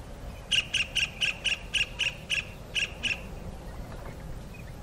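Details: A kingfisher calls to its mate with a rapid series of ten sharp, harsh squawks, evenly repeated about four times a second, the last two after a slight pause, then fading into low-pitched background noise.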